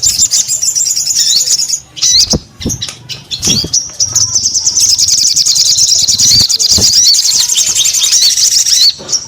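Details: A sogon in full, active voice delivers bursts of high, squeaky chirps and twitters. They build into a long, unbroken rattling run of quick notes through the middle, ending with scattered clicks.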